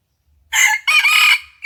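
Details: On the morning of 27 January 2021, a red junglefowl used as a decoy for wild junglefowl crows. A harsh, raspy note is followed by a long, strained, level phrase, and the start of another crow is cut short. No other sounds.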